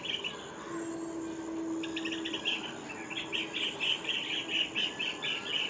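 Blue-tailed bee-eater giving short, rolling, trilled notes, about two per second, over a faint steady low hum and background hiss.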